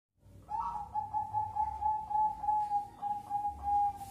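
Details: Large Bangkok-type zebra dove gives a steady, mid-pitched cooing trill, one sustained purring tone broken into quick pulses with slight accents about every half second, over faint low background rumble.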